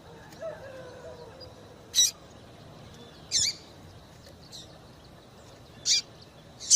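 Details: A female double-collared seedeater calls eagerly, used to stimulate males to sing, giving sharp, high, brief chips spaced one to two seconds apart over a faint low background hiss.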